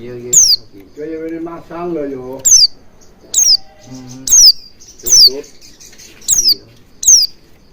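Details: Oriental white-eye lure to prompt wild-style singing: eight or so shrill, falling chirps evenly spread, while a person's low voice talks in the background early on.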